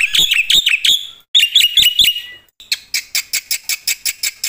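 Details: Black-winged myna in loud, vigorous full song: chattering bursts of squawky notes with bright whistled overtones, a brief gap, then a steady string of harsh, buzzy notes repeated roughly three times a second.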